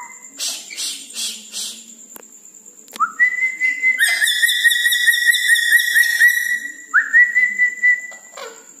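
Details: Red-breasted parakeet whistling at night: soft pulsed notes, then a long level trilled whistle held several seconds with rich overtones, a rising note and a final drop, over a constant high whine.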